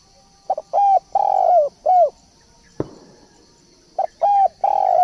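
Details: Spotted dove decoy call: phrases of deep hollow coos, a short note then longer swelling ones ending in a falling coo, repeated after a pause, with one sharp knock between and a steady high hiss behind.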